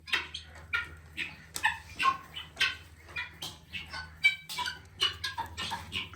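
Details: Helmeted guineafowl (Numida meleagris) on a farm with chickens, giving harsh, grating, rasping calls in quick overlapping bursts, several per second, over a steady low hum.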